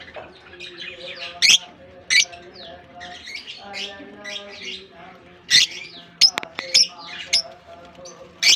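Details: Lovebirds newly released into a colony in Germany at the start of summer; shrill, sharp squeaks stand out at irregular intervals over a steady mass of chirping and low tonal humming.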